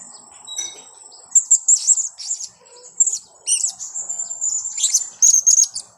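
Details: Lure recording of blue-crowned hanging parrot for trapping: thin, high-pitched chirps and squeaky twitters come in quick runs of three to five notes, overlaying a faint steady whine.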